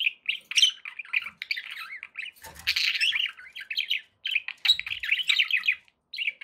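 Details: Chattering pet budgerigars: a continuous warble of rapid, buzzy chirps and rolling trills, broken by a harsh noisy squawk midway and a short pause before resuming.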